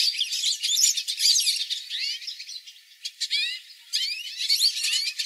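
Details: A flock of hooded siskins sings songs for training pet birds: bursts of quick twittering and rising and falling slurred notes, broken by brief pauses, then more chattering trills.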